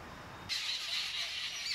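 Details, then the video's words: Spring, near breeding season, Indian orchard: a flock of Jungle babblers mock-fighting on a tree branch break into harsh, rasping chatter after a brief quiet start, thin squeaky notes threaded through continuous noisy calling; Jungle babbler. "Jungle Babbler flock noisily mock-fighting"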